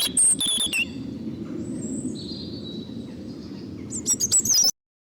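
Robin song: thin, high warbled phrases of a few quick notes open and close the clip, separated by a quiet pause over a low background rumble.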